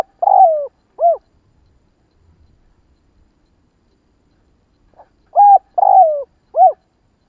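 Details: Spotted dove 'kích bổi' stimulating call: the tail of one phrase with a falling coo and an arched coo, then after a pause a full phrase of pip, coo, long descending coo and final coo.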